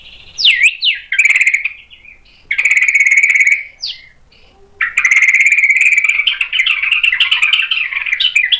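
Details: A white-rumped shama, goaded into singing and showing its mimicry repertoire, opens with quick sliding whistles, then gives long harsh buzzing rattles with brief breaks, the last rattle running several seconds.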